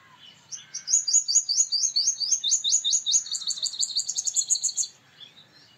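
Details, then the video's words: Male purple sunbird singing: a rapid series of high, sharp descending notes followed by a fast metallic ringing trill, lasting about four seconds, with faint bird calls in the background. "Purple Sunbird Sound / Purple Sunbird Song / Purple Sunbird Call /Male Purple Sunbird Vocals, Voice"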